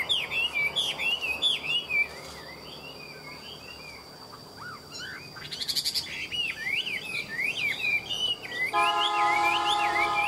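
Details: At midday a caged hwamei sings bright, looping whistled phrases, quick rising and falling notes in bursts with short pauses, a brief harsh rattle midway and a steady electronic tone at the end.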